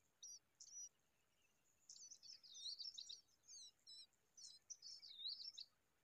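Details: Common babbler (Argya caudata) raising a baby gives high, squeaky chirps and short twittering bursts in uneven clusters over a faint background hiss.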